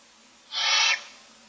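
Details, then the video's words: Barn owl owlets, six young in a nest box, begging for food: one loud broad rasping hiss lasting about half a second, rising abruptly and cutting off cleanly, over a quiet background. "Barn Owls : 6 owlets looking for food"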